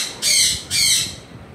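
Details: A pet African grey parrot at home lets out two loud, raspy, broadband squawks in quick succession, each about a third of a second long, then falls quiet.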